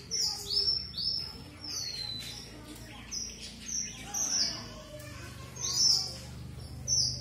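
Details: Red avadavat song: sweet, very high-pitched whistles and short downslurred notes in a busy sequence, with a low background drone throughout.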